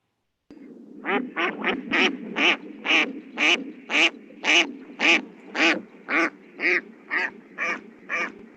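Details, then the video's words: A duck flying overhead at Meadow's Edge, Big Bear Lake, California, on 12 August 2020 gives a steady run of about fifteen harsh, nasal quacks, roughly two per second, a sound commonly heard in the area. "listen to this duck quack as it flies overhead and this is a common sound that you hear when visiting the big bear lake area"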